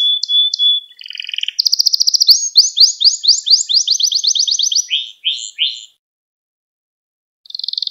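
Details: Gloster canary song meant to provoke other canaries: a thin whistle and low buzz, then a long fast series of bright sweeping notes, slowing into separate chirps, silence, and a brief trill at the end.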